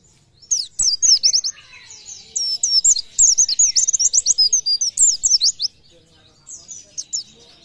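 Oriental white-eye singing a fast, very high twittering warble of sweeping notes in a burst of about five seconds, then a few last chirps.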